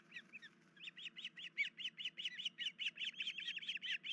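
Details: Injured nesting osprey with chicks, one leg hurt and unable to feed them, 10 July 2019 before 5 a.m.: a fast run of about seventeen sharp, whistled chirps, roughly four per second, over a steady low hum.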